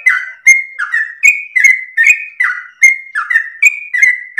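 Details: Sooty-headed bulbul in full, sweet rapid-fire song, recorded to train and provoke other birds. Clear whistled phrases follow quickly, alternating between level and sliding notes, with crisp clicking accents.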